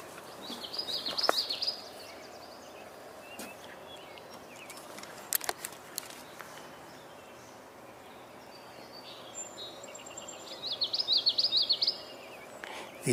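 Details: A Common Yellowthroat (Geothlypis trichas), heard fairly close but hidden in vegetation near a pond with mallards and Canada geese on 14 May 2022, sings two bursts of fast, rolling high phrases about ten seconds apart, faint clicks and handling noise between them.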